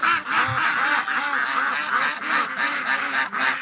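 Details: Domestic ducks on a snowy winter morning quack excitedly in a steady, overlapping chorus of harsh, nasal calls, several per second without pause, set off on hearing their keeper open the door; geese are also present.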